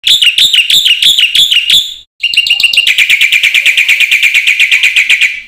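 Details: Black-winged myna song used as a training lure for other mynas: loud harsh repeated notes, about eight rhythmic bursts, a brief pause, then a fast rapid series of rasping chattering notes.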